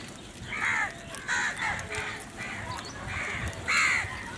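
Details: Crows at their morning food time, a string of hoarse caws of varying length, the last one loudest, against steady outdoor noise.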